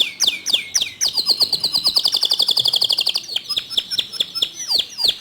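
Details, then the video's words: Canary song from a recording meant to get other canaries singing: a few sharp downslurred notes, then a long fast, even trill of high repeated notes, and more scattered downslurred whistles toward the end. "Masteran Kicau Kenari Untuk Memancing Kenari Lain Agar Ikut Gacor Dor"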